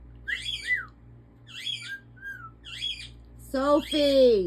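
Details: African ringneck parakeet, a talking pet parrot indoors, giving sharp whistled chirps in short bursts about once a second, ending in a louder drawn-out, voice-like call with rich harmonics.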